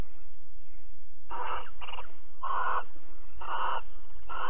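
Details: Barn owls mating and cuddling in Alphen, 22 April 2020, 21:37: a run of five rasping, breathy screeches in close succession, some back to back, with a low background hum.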